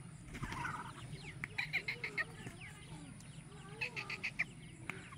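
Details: Black francolin (Francolinus francolinus), wild and with chicks, calls in two bursts of harsh, clipped notes, about five in quick rhythm each time, over a steady low rumble and faint background noise.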